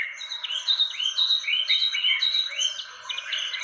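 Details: Indonesian fantail lure call: clear rising whistled notes, each curving upward, repeated roughly twice a second over a background of thin high chirping.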